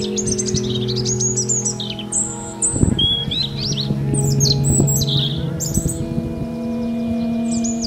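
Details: European robin pouring out varied high warbles and thin whistles, briefly interrupted by a splashing sound as it swims or bathes, then resuming its quick twittering phrases above a steady low hum.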